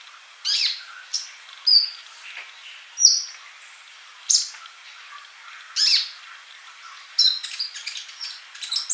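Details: Sunbird singing in a tutor recording meant to get birds to sing: high, thin chirps and short whistled notes sounding every second or so, with a brief buzzy trill near the end and a faint hiss behind.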